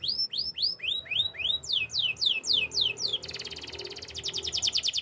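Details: Canary song of rapid descending whistled sweeps repeated about three to four times a second, then switching to a fast, even buzzy trill of short repeated notes.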